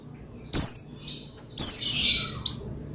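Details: Pleci (Oriental white-eye) singing to provoke another pleci: a sharp, high, falling whistle, then a longer, buzzier, sliding phrase, with brief quiet between.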